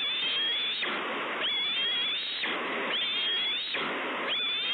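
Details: Hungry bald eagle chick at Two Harbors on 30 May 2013, screeching for food. High thin whistled calls, each rising then levelling off, repeat about every second. Heavy rushing broadband noise, like wind, runs throughout and swells between calls.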